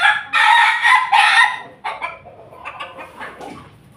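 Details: Morning crowing of a Pelung chicken, loud and lusty: three harsh, broad bursts in quick succession, then fainter trailing clucks and calls.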